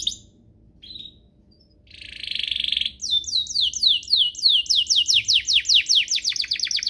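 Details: Canary song for training young canaries and encouraging birds to sing: scattered short chirps, a dense buzzy note, then a steady, lively series of loud sweeping whistles repeated about three times a second.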